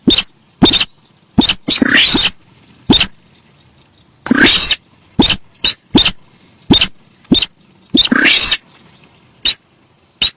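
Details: Very noisy Javan pied starling lure sound: rapid sharp clicks and ticks interspersed with longer harsh rasping phrases carrying faint whistled notes, over a constant high hiss.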